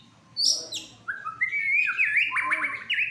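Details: Agitated fighter white-rumped shama in a cage, in full song during a nerve test: high sharp notes drop into lower fluty whistles, then a rapid chattering trill.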